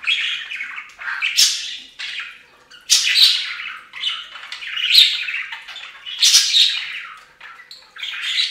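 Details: Pet budgies bathing together at a fountain give busy, grating warbles and sharp squawks in uneven bursts about every one to two seconds. Their high scratchy notes overlap.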